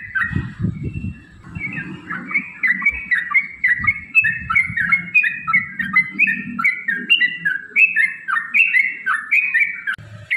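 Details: Yellow-vented bulbul in a long, rapid fighting song used as a lure to provoke other bulbuls to sing: continuous bubbly, chattering phrases of short descending whistled notes, repeated without pause, over a low rumbling background.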